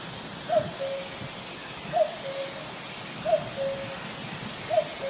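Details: In woodland, a cuckoo repeats its falling two-note cuckooing four times at roughly one-and-a-half-second intervals, each short upper note followed by a longer lower hum, against a quiet hiss of forest ambience.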